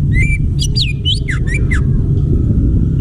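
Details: Wild greater green leafbird from the forest giving a quick run of sharp whistled and chirped notes, several sliding up or down, packed into the first two seconds over a constant loud low rumble.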